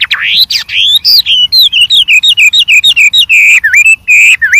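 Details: Varied song of a white-rumped shama in the wild: an upswept whistle followed by a fast run of about twenty clear, slurred notes that step gradually downward, ending in lower whistled phrases.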